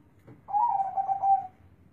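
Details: Deep-voiced zebra dove singing a single second-long phrase: a burst of rapid, rolling coo pulses at a steady low pitch, fading out on a held note.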